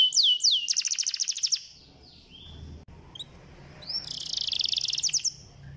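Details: Canary song meant to prompt a lazy canary into singing: quick descending notes and a bright rapid trill, a quiet pause with faint background noise, then another dense buzzy trill.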